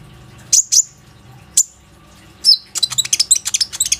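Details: Lure singing of a plain-throated sunbird, meant to set other sunbirds singing, recorded on an Oppo A37f phone. A few isolated shrill whistles lead into a rapid jumble of high, sharp twittering notes.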